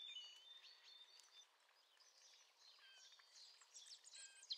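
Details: A male Eurasian blackcap about 30 metres away sings a soft, rapid warble of varied high notes that grows busier and brighter toward the end, over faint outdoor hiss.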